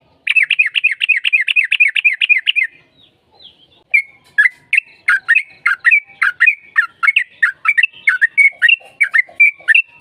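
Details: Yellow-vented bulbul (trucukan) singing in a fast, combative 'gacor tarung' style used as a lure to make another bulbul answer. A quick run of about a dozen bubbly, repeated notes, a short pause, then a long chattering string of liquid, warbled phrases.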